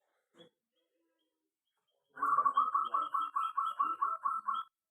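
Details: Zebra dove singing in an aviary: one brief soft note, then after a pause a quick string of about thirteen clipped, mid-pitched cooing notes that keep an even pitch. No other clear sounds.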